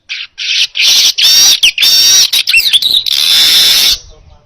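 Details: Baya weaver song for tutoring other songbirds, delivered as a continuous loud high-pitched buzzy chatter with harsh rasping notes, brief gaps and a few sliding whistled inflections, ending abruptly after four seconds.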